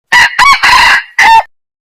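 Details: A yellow junglefowl crows loudly and clearly in four bursts: two short clipped notes, a long drawn-out harsh middle note, then a final note that falls off, against a silent background.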